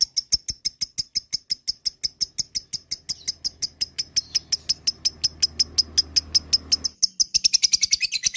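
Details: Lovebird giving a long ngekek song: rapid, evenly spaced high chirps about three per second, then a faster, denser burst of chattering near the end; a low hum runs under the middle part.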